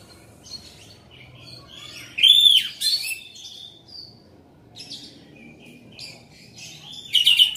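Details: Orange-headed thrush singing loudly: a bright, rich phrase sliding around a clear whistled note, then quieter twittering fragments and a further loud burst near the end, with faint low background hum.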